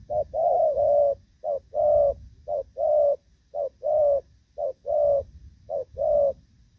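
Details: Moulting spotted dove of the Thổ Pha style, recorded 3 June 2024, still delivering a good lead-in and cooing style: about six paired coos, a short note then a longer level one, steady, over low rumble.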